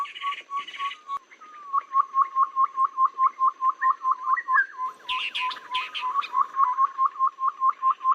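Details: Babbler lure recording for bird trapping, suitable for rainy and dry seasons: a rapid series of short, clipped notes at a steady pitch, about two per second, with bursts of higher chattering and whistled notes from other birds.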